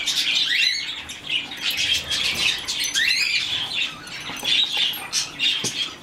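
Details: Rescued, hand-fed baby budgerigar chick giving bursts of rapid, scratchy chirps that sweep up and down. The notes come in quick clusters separated by short pauses, with faint rustling between them.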